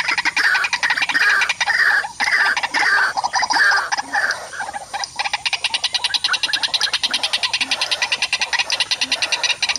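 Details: White-breasted waterhen facing a mirror trap while another waterhen arrives to disturb and chase it: harsh, croaking notes repeated in a loose series for about five seconds, then a fast, steady train of clipped pulses to the end.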